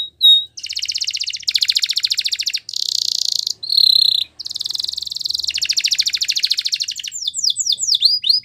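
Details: Spanish Timbrado canary training song: short whistle, then long buzzy rattling trills in several tours separated by brief breaks, ending with quick rising whistled sweeps.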